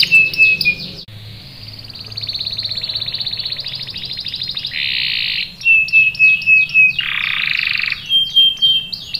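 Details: Canary lure song to make other canaries reply with rolls. It mixes a flat whistle, long fast rattling rolls, harsh buzzy bursts and short rising chirps in a varied sequence.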